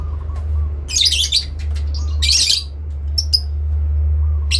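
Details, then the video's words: Parent lovebird in an exchange of calls, the ngekek style answering a rival: scattered harsh, hissing squawks and a couple of thin sharp notes, set against a loud constant low drone. "induk love bird ngekek panjang , saling nyaut memanggil lawan"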